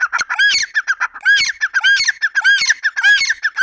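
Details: Grey francolin calling loudly: ringing, arched squawking notes repeated in quick groups of three or four, about every half second, steady and insistent throughout.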